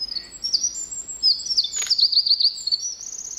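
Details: A Eurasian wren (Troglodytes troglodytes) sings in Nagano on 16 July 2011, away from the river noise: a loud, very high song of fast, tumbling trills and sharp twittering notes in a rapid, unbroken stream.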